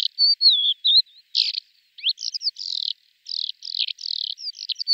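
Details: Male lesser short-toed lark singing in flight, song said to include mimicry: a quick run of thin slurred whistles, dry buzzy bursts and chirps, high-pitched and nearly continuous, with no other sounds.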